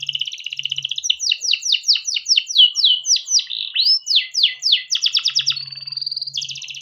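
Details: Canary singing a lengthy song for tutoring young canaries: rippling trill, then a run of clear downslurred whistles, a rising note, more rapid sweeps and a sustained buzzy trill.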